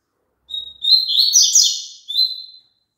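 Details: Double-collared seedeater singing, offered as a tune for a kept bird to join in: opening whistles, then a dense, scratchy warble, and a final clear whistled note, about two seconds in all, in a clean setting.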